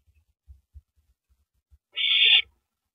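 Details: Owl at its nest passing rabbit prey to its mate on the night of April 9, 2012; soft low taps and shuffles, then a single long hissing screech near the end.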